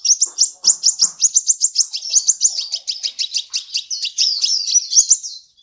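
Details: A sunbird, recorded as full tutor song for training magpie robins and shamas, gives a rapid, high, thin twittering song of sharp repeated notes, about four per second, running continuously with slight pitch wobbles.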